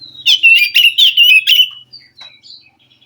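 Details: Forest-living Oriental magpie-robin singing to stimulate a lazy captive bird: a rapid run of loud warbled, rising and falling notes, then soft scattered chirps.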